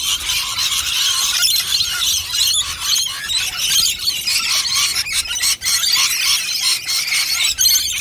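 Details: Feeding flock of wild rainbow lorikeets at a nectar dish produces an unbroken wall of shrill, scratchy squealing, dense and steady throughout.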